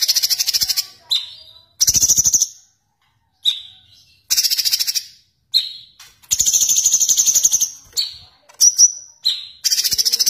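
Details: Sooty-headed bulbul alternating bursts of rapid, high rolling trill (ngerol) with sharp single whistled shots that drop in pitch, in a clean recording with no other sounds.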